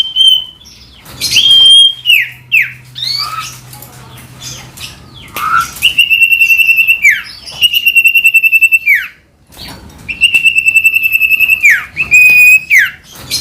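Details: Ashy tailorbird singing vigorously, recorded as a lure to provoke a common iora into singing. Loud buzzy trilled notes held level then slurring down sharply, alternating with short chirps and quick upslurred whistles, repeated in bursts with brief pauses.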